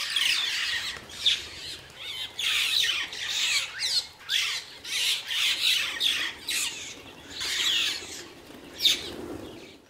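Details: Glossy starling flock at a waterhole in Mashatu Game Reserve, Botswana, bathing then departing: dense, piercing squawking chorus in repeated surges, with whirring wingbeats as the birds take off.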